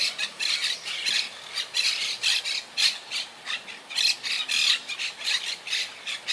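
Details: Repeated rasping squawks from wild Quaker parakeets in a colony that lost about half its birds to hurricane Irma in 2017. Short harsh notes come roughly every two seconds in an uneven rhythm.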